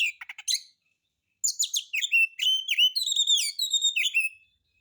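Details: White-rumped shama singing rough, harsh material as a lure to set other birds singing: a few sharp clicks and chirps, a pause, then a fast varied series of whistled slurs and chattering notes.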